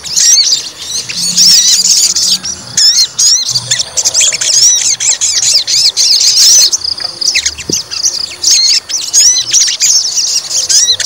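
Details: Fighter white-rumped shama under provocation singing long runs of high rapid whistles, chirps and slurred notes, with one brief pause and then more energetic phrases.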